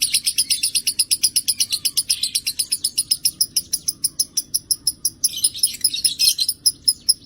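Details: Lovebird singing in a loud, sustained chattering trill, rapid sharp high chirps repeated about four to five per second for the whole stretch, with a brief denser, more varied burst near the end; steady faint low hum beneath.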